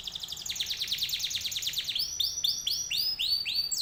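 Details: Canary song played as a lure to draw other canaries into answering: a loud, fast run of high rattling notes, then a series of bright, rising whistled notes repeated about three times per second.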